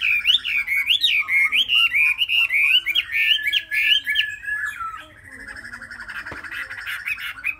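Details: Young Chinese hwamei, three months old and kept as a cage bird, pours out a rich, rapid warbled song of looping rising-and-falling whistles, then shifts into a softer, rattling sustained trill.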